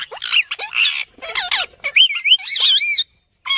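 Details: Talking ring-necked parakeet, a green parrot, producing bursts of speech-like chatter: wavering, bending tones and raspy syllables run together for about three seconds, a short pause, then one more harsh note.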